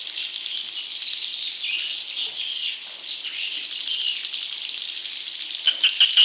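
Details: Lure recording of swiftlet chick calls for drawing in wild swiftlets: steady high, hissing chatter of many overlapping chirps, closing with a few sharp, bright clicking notes.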